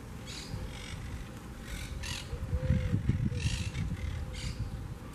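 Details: Quaker parakeets, a wild colony nesting in a large twig nest in a beachside palm in Southwest Florida: rough, grating squawks repeated in quick irregular bursts, roughly two or three a second, against a heavy low rumble.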